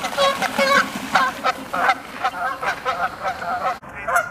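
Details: Several Canada geese honking loudly while flying off, overlapping nasal honks in rapid succession with a low background rumble and a brief cut near the end.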